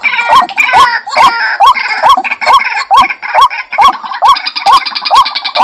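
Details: Lure call of a white-breasted waterhen for bird trapping: a relentless series of harsh, rising croaks repeated at an even pace of a little over two per second, with faint buzzy noise above.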